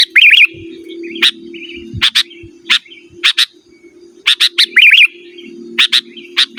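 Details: Sooty-headed bulbul calling a rival: two bubbly warbled phrases among many crisp paired chirps, over a faint continuous hum.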